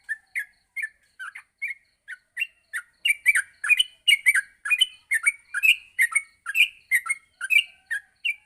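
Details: Yellow-vented bulbul singing in the morning, a recording for training other bulbuls to sing steadily; it starts with spaced single chirps, then builds into a denser, louder run of bubbly notes.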